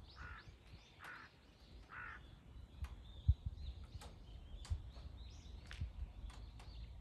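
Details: Crows in a three-on-one confrontation with a hawk on 21 October 2023: three harsh, hoarse caws about 0.8 seconds apart. Faint high chirps from small birds and steady low background rumble follow.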